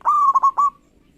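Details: Local zebra dove singing to provoke rivals: one brief, loud phrase, a clear sustained coo broken by three quick rolling pulses, then silence.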